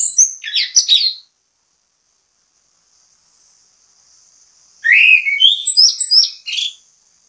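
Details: Orange-headed thrush (anis kembang), a lively singer used as bait song to prompt other birds to sing: a burst of shrill whistled notes and fast warbles at the start, a long near-silent gap, then a second rich, varied whistled phrase.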